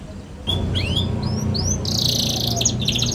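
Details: Young canary singing, recorded to help other young canaries learn: a few rising whistled slurs, then a loud buzzy rattle and chattering trill over steady low background hum.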